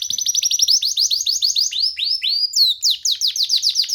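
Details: Young canary perched on a hand, singing freely indoors: rapid rhythmic series of high downward-sweeping whistles, changing pace midway with a longer slurred note before the quick sweeps resume.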